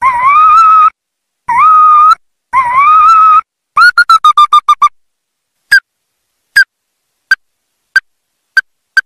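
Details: Ruddy-breasted crake call used for trapping: three long, wavering whistled notes, then a stuttering trill, then sharp single notes spaced just under a second apart.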